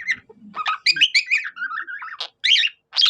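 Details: Budgerigar singing like a cockatiel: quick chattering warble, then a short, level whistled phrase, followed by two sharp squawky bursts after brief pauses.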